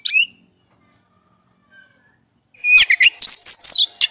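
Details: Oriental magpie-robin, described as singing morning, afternoon and night: one short whistled note, a long pause, then a loud burst of harsh, clicking and whistled notes mixed with broadband rattles.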